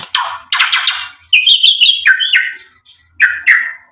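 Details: Energetic white-rumped shama (murai batu) in full song, used as a lure to provoke rivals and show off mimicked material: harsh buzzy bursts, then a run of clear high whistled notes and short rising phrases separated by brief pauses.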